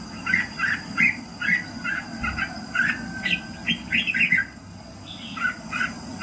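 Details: Red-whiskered bulbul singing in the morning for voice training: a lively, steady string of short warbled phrases, each a bright two- or three-note chirp, repeated about twice a second with a low constant hum beneath.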